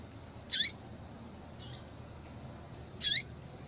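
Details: Calling female yellow-bellied seedeater, the sound used to stimulate males: two strong, high, short notes with a falling slur, about two and a half seconds apart, and a faint buzzy note between them.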